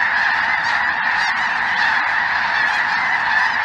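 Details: Snow geese mixed with greater white-fronted geese and perhaps a Ross's goose or two, a flock filling the sky over southern Indiana on a chilly afternoon, 23 January 2023; a dense, unbroken chorus of overlapping nasal honks and yelps.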